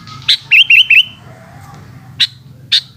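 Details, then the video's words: Sooty-headed bulbul singing in the afternoon: a quick run of three wavering, zigzag whistled notes, followed by isolated sharp, clicking chips over a low background hum. "Burung kutilang oceehan disore hari"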